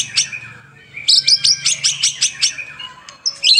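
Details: Murai batu (White-rumped shama) singing actively in a training recording for caged birds, morning and evening: about ten sharp, high chipping notes repeated rhythmically, ending in brief whistles over a faint low hum.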